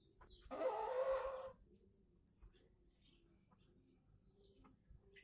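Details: Aceh red junglefowl on a lure recording: one rasping, noisy crow burst of just under a second, followed by a quiet background with faint distant clicks and chirps.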